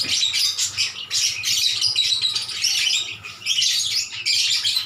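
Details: Lovebirds calling back and forth: dense, high, shrill chattering in overlapping bursts, nearly continuous with short gaps.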